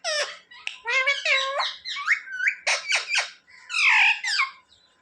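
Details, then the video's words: Pet parrot kept indoors imitating human words, said to speak "mummy" and "papa"; a quick run of high, harmonic syllables with squeaky rising and falling glides, in a small room, with no other sounds. "Parrot talking mummy mithu ko roti do🥰mummy papa bolane wala Mitthu"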